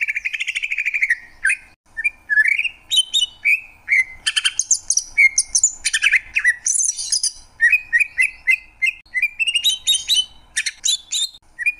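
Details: Greater green leafbird singing a long, rich medley: opening whistled warble, then rising slurred notes, harsh high buzzes and rapid chattering bursts, tumbling almost continuously with only brief gaps.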